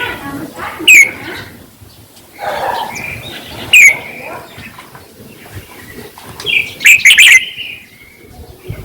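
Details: Red-whiskered bulbul voice for arousing caged birds: a few loud, clear downslurred whistles spaced a few seconds apart, then a louder jumbled warbling phrase, with quiet pauses between.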